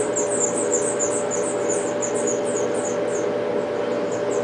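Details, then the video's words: House finch nestlings, five in all, begging as a parent feeds them at a backyard nest; rapid high squeaky chirps crowd the first three seconds, then thin out, over a constant background hum. "House Finch bird feeding her 5 little youngs babies"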